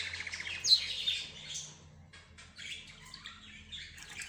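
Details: Budgerigars, zebra finches and a canary chatter together in a mixed recording. A burst of busy high twittering fades into near quiet, then softer scattered chirps and short trills return.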